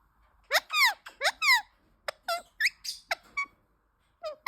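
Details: Pet Indian ringneck parakeet, a talking bird kept indoors, chirping and singing while playing on an iPhone: a quick series of loud, sweeping chirps, some rising and some falling, in bursts with short gaps, then two more chirps after a pause.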